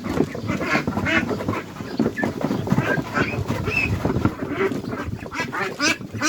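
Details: A Khaki Campbell duckling gives loud, harsh quacks in quick, uneven bursts, the proper quack only females make, marking it as a girl in voice sexing, over other ducks in the pen and a man talking.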